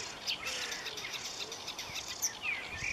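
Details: A marsh warbler sings a busy, irregular medley of sharp high chirps, sliding whistles and buzzy notes at about four elements per second, with faint lower whistles early on.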